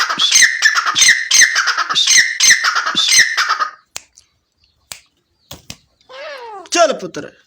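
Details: Francolin, locally called irani titar. A rapid run of loud, harsh, grating phrases repeats for several seconds, then stops, followed by scattered clicks and a short rising squeal.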